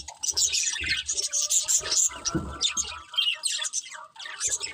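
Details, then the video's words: A breeding pair of budgerigars chirping nonstop: dense, warbling chatter of high squeaky notes and quick chirps overlapping throughout, with a few soft low knocks and rustles underneath. "Cute Budgies Chirping Sounds"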